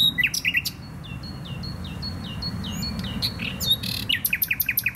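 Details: Nightingale singing in the Botanical Garden in Poznań, Poland: sharp chirps and downward-swept whistles, then a run of repeated clicking notes near the end.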